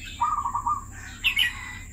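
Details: Brief phrase from a caged red-whiskered bulbul kept for two years: a lower run of quick buzzy notes followed by a higher bright slurred whistle, over a steady thin whine and low hum.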